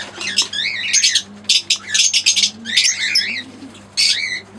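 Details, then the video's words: Fischer's lovebirds, a green pair and an albino red-eyed pair, in noisy chatter: bursts of high, harsh chirps and wavering squeaks repeated in uneven clusters, with a steady low hum in the background. "Singing & Chirping Sounds - Green Fischer Pair"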